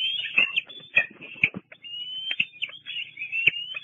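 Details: Juvenile bald eagle out exploring near its nest at Fraser Point on 2 July 2022, live cam recording; high squealing chitters and thin rising whistles, uneven bursts over a low background hum.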